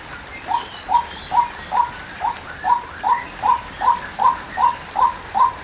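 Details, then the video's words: Repeated short mid-pitched notes from a female white-breasted waterhen, starting after a brief pause and then steady at about two and a half per second, with a faint higher bird call near the start. "Chim Cuốc Mái Kêu | Tiếng Chim Quốc Mái"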